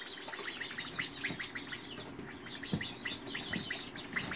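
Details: Young Polish, Faverolles and Partridge chickens chirping in February 2018, a dense crowd of short, high peeping chirps repeated rapidly and overlapping, with a low background hum.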